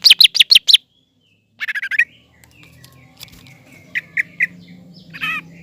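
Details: Provocative green leafbird singing aimed at a young speckled bird. Four loud sharp notes open it, then a quick buzzy trill, a long quiet stretch with faint notes, and a few scattered chirps near the end.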